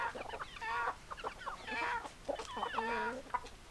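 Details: A flock of hens and roosters clucking: quavering, harmonic calls that bend up and down, some drawn out, others clipped, overlapping closely from several birds with only brief gaps.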